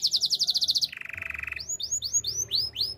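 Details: A canary's training song: a fast, bright trill of repeated notes, then a lower rattling roll, then arched whistled notes about three per second. A faint low hum is audible.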